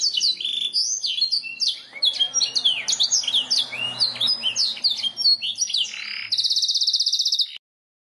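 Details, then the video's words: Canary singing a quick, tumbling run of high whistles and chirps, ending in a fast, even, buzzy trill, over faint background hiss; tutor song used to prompt other birds to sing. "Suara burung kenari masteran ,langsung nyaut"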